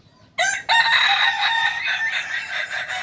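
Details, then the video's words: Kukuak Balenggek chicken, a rare native singing breed of Solok, West Sumatra, whose crow can be multi-tiered; after brief silence a loud, rich, harmonic crow begins, pauses for an instant, then continues steadily and slowly fades to the end. "Ayam kukuak balenggek ayam asli solok sumbar"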